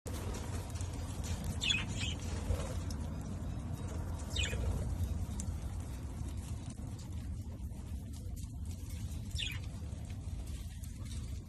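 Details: Budgerigars (Melopsittacus undulatus) in a colony give short, scratchy chirps and warbles over a steady low hum of background noise.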